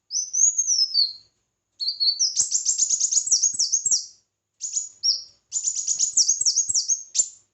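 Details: Red-whiskered bulbul in competitive singing, a high sweeping whistled phrase followed by rapid buzzy trilled bursts of arched notes, broken by short pauses.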